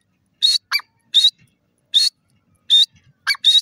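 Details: Grey francolin, known locally as irani teetar, giving loud, high, harsh notes in short separate bursts, some doubled, spaced unevenly about a second apart against a silent background.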